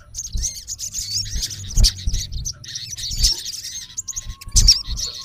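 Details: Olive-backed sunbird male calling at a rival: scattered high, thin twittering chirps in short bursts, with a faint steady tone and low knocking sounds below.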